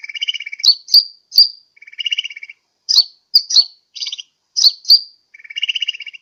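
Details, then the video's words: Sunbird call used as a lure to draw in birds, Sukabumi, Pajampangan: lower buzzy trills alternate with quick, piercing high chips and down-slurred notes, given in irregular clusters. "SUARA PIKAT/PANGGILAN BURUNG KOLIBRI"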